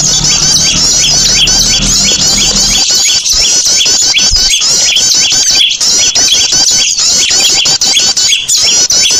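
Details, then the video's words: Small birds in a noisy lure recording meant to draw birds together: a dense, continuous mass of high chattering and looping twitters from many birds, with a low hum under the first three seconds. "PIKAT BURCIL SUARA RIBUT JAMIN AMPUH PADA NGUMPUL."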